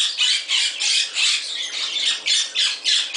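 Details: A pet Moluccan cockatoo in an avian shop in Summerville, South Carolina, playing, gives harsh, raspy screeches in quick succession, about two each second, loud and grating with nothing else heard.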